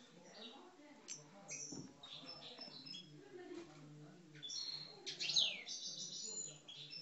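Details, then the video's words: Algerian parva European goldfinch kept in a cage, described as an aggressive 'coupleurs' singer. Soft scattered twittering gives way to a louder, dense high trill toward the end, over a low background hum. "Mes Chardonnerets Parva Algeriens Coupleurs, Agressif"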